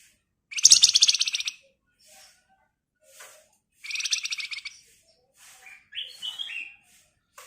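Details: Javan white-eye song meant as a training lure for songbirds: two harsh, buzzy chattering bursts a few seconds apart, then a few thin notes and short clear whistled phrases that step up and down, with quiet gaps between.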